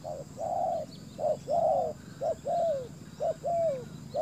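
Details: Decoy spotted dove luring wild birds, repeating a short coo then a longer falling coo in steady pairs, about one pair per second, with faint twittering of small birds in the background.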